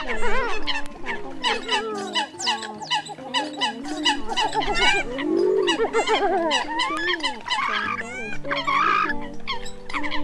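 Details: Lure recording of a Eurasian coot flock, October 2020, for attracting birds: loud, crowded honking calls nearly without pause, some swooping upward, over low steady hum.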